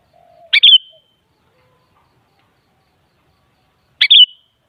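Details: Sooty-headed bulbul sound played to make a kutilang answer and sing: two short, bright, bubbly chirps about three seconds apart, with silence between them.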